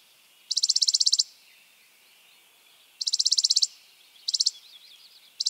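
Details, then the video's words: Spizella sparrow singing: two rapid high trills of under a second each, then two shorter bursts, with faint twittering chips between them and little background noise. "Sounds of Spizella, Sounds of the Common Sparrow Bunting"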